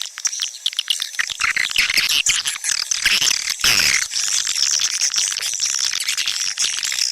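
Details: Swiftlets, played to attract them into nesting houses: quieter clicking opening, then a swelling chorus of high, shrill twitters and chirps from many birds that continues densely.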